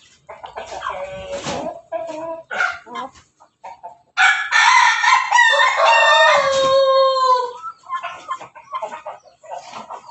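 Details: Ayam Ketawa rooster being bathed at home to encourage long crowing gives a long, ringing crow between short, choppy clucking notes.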